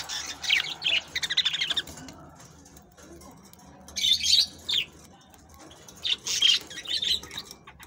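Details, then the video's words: Budgerigars singing to encourage mating: bursts of chattering, scratchy warbles and short squeaky notes in clusters, separated by quiet gaps of about a second or two. "تغريد طيور البادجي الأسترالي"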